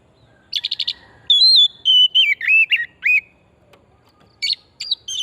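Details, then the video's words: Vigorously singing oriental magpie-robin, used as a singing lure: a fast buzzy trill, then long sweet whistles that wander downward in wavering steps, a short pause, then a few bright rising whistled notes. "Pancingan burung kacer pesona hutan murni gacor"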